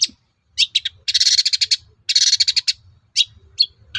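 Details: Long-tailed shrike singing to goad other shrikes into replying: dense, buzzy, scratchy chatter in fast bursts, mixed with a few sharp chips and short rattling notes.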